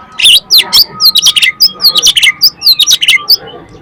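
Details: Oriental magpie-robin lure song for stirring other magpie-robins to sing. A loud, fast run of sharp chirps and swooping whistled notes, roughly five each second, with a faint steady hum underneath.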